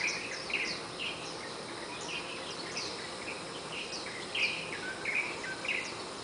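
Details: Warbling white-eyes from a nesting family sing their first dawn chorus around 04:45–04:50 in a Malabar chestnut tree outside a bedroom window, high thin twittering and quick downward chirps over steady hiss.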